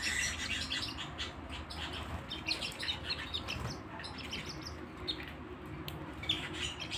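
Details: Canary singing: a dense stream of short, high chirps and twittering notes, closely spaced and overlapping throughout, over a steady low rumbling background.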